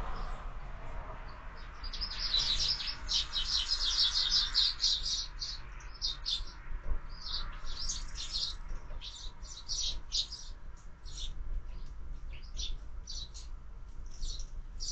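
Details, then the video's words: Sparrows at a feeder mounted on a window, fed year-round; dense bursts of short, high chirps, busiest in the first few seconds, then scattered chirps every second or so over a low background hum. "Воробьи в кормушке"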